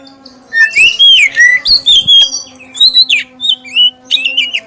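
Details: Clear prompting song from a black-breasted oriental magpie-robin, used to draw song from other magpie-robins: a string of sweet sliding whistles and warbled notes in rapid succession, with a constant low hum beneath.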